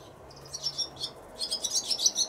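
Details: Swallow nestlings begging as they are fed at the nest on a sunny April 8, 2020, days before their expected fledging, while wing-flapping practice begins; high, thin chirps burst in overlapping, scratchy clusters, building into a dense chorus.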